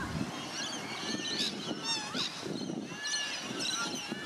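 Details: Masked lapwing in Sydney giving sharp, strident, overlapping calls in quick bursts, over a low background rumble and faint voices.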